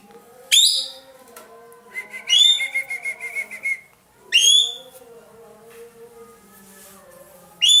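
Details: Loud-voiced racket-tailed treepie (ekek keling), an Indonesian bird used to tutor other songbirds, uttering sharp ringing down-slurred notes separated by a rapid wavering whistled trill, with faint low tones in the background.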